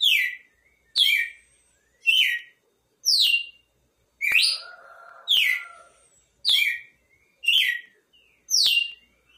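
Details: Nine sharp whistled phrases from a red-cowled cardinal, each falling quickly in pitch, delivered almost every second; a brief softer mid-pitched buzz accompanies the middle phrases.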